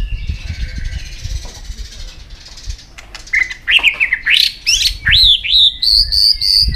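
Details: White-rumped shama singing many forest-style phrases in a contest: after a hissy, noisy opening, a string of loud rising and zigzag whistles climbs higher and higher.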